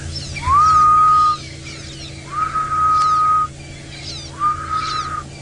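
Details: Grey-headed Bushshrike, called ghost bird or spook fool, on a sunrise safari drive in Sabi Sand near Kruger Park, South Africa; long mournful whistled notes, each rising then held level, repeated three times, with faint chattering birds behind.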